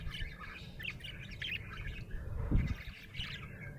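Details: A happy budgie twitters in fast scratchy chirps and short warbles, with a soft low thud midway and steady background hum.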